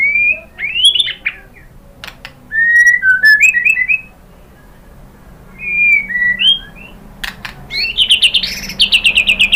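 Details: White-rumped shama singing as a lure to make other birds answer: widely spaced clear whistled phrases with slurred and stepped notes, ending in a fast rattling run of high notes.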